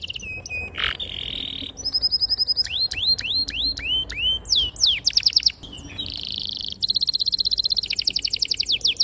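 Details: Canary in long, continuous song used to lure and train young birds to sing: high whistled notes, repeated upswept chirps, fast buzzy trills and long rolling rattles, changing phrase every second or so.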